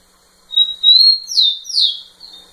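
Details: Rufous-collared sparrow singing at a female: a sustained thin whistle, then two loud downward-sweeping whistled notes and a softer trailing note, in a quiet setting.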